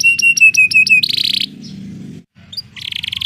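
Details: Rolling song of a canary, meant to coax other canaries into singing. A short series of whistled notes leads into buzzy trills, broken by a brief gap. A low rumbling background noise runs underneath most of the recording.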